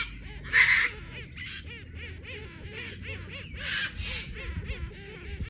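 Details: Three young chestnut-mandibled toucans give harsh, rasping, croaky calls in quick overlapping bursts, several calling at once over a low background rumble.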